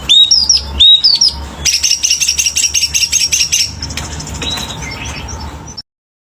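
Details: Selendang biru bird in energetic full song: sweeping whistled phrases followed by a rapid rattling series of sharp repeated notes, ending in softer whistles before the sound cuts off.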